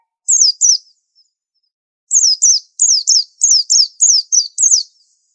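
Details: White-eye singing high, clear slurred notes that sweep downward; two quick notes, a pause, then a rapid run of about nine similar chirps, with no other sounds.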